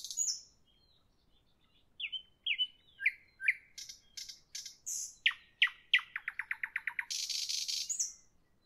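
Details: {'caption': 'Nightingale singing in the evening with a varied phrase: a high whistle, slurred notes, sharp clicks, a fast accelerating series of chips, then a loud broad buzzy rattle and a final whistle.'}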